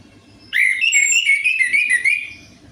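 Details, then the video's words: Orange-headed thrush song used to draw out singing in a quiet bird: a continuous two-second phrase of rapid, wavering whistled notes with bright high elements, fading at the end. "DENGAN PANCINGAN ANIS MERAH AMPUH INI, ATASI SUSAH BUNYI ANIS MERAH"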